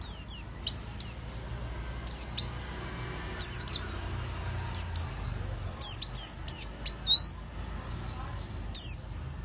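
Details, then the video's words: High, sharp downslurred chirps from an oriental white-eye, used to lure others, come singly or in quick pairs with short gaps, in a spaced-out stuttering pattern. "kicauan burung peleci pancingan langsung nyawut"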